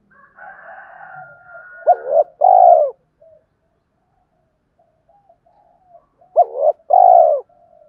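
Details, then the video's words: Spotted dove calling in the two-ending-note manner, played to provoke decoy doves; soft hum leads into two identical low phrases, each a short bouncing double note followed by a longer drawn-out coo, about five seconds apart. "tiếng cu gáy kích bổi mỗi ngày, gáy gọi hai hậu"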